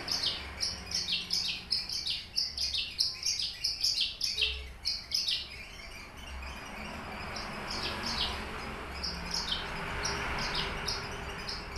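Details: Caged Horsfield's bush lark of subspecies aliena from Papua, pouring out rapid high chirps and trills for about six seconds, then quieter scattered notes amid steady background hiss.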